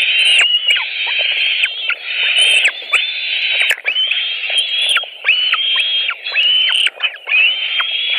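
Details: White-tailed eagles at a nest in Latvia on 5 July 2018, food delivered at 21:05 as a late supper; long, high, strained whistled calls follow one another almost without pause, each ending in a sharp downward slide.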